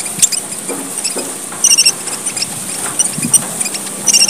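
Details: Red munia from Papua, Indonesia, calling as a lure: high squeaky chips with short rapid bursts of three or four tinkling notes, plus a faint low hum in the background.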